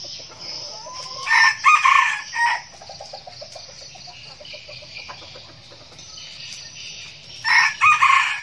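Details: Red junglefowl decoy rooster crowing to lure wild roosters, crow styles named thổ, đồng and ực ờ: two loud, harsh, clipped crows about six seconds apart over a steady high insect drone.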